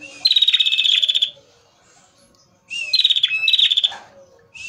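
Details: Lure recording of a singing male prinia (prenjak merah), two bursts of rapid, high, rattling trill, each about a second long and separated by a short pause, with a buzzy note beginning each burst.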